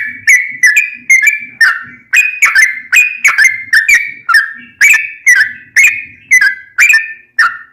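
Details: Sooty-headed bulbul in lively fighting song, played to train caged birds. Sharp, whistled notes come steadily, roughly two a second, some slurring downward, others rising slightly. A soft low murmur sits underneath.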